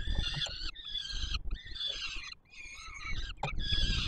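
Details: In Warsaw, Poland, on 7 July 2022, peregrine falcon chicks at the Palace of Culture and Science call for food as the male feeds them: piercing harmonic screams in four long stretches with brief pauses, low hum behind.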